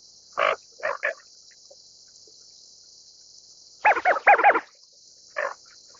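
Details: Greater scaup call in rough, nasal croaks: single notes, then a quick run of four rasping notes, then one more, set against a constant high hiss.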